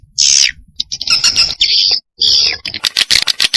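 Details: SP Cina swiftlet response call: a few long, piercing buzzy chirps separated by short gaps, followed by a fast run of clipped clicking notes at the close.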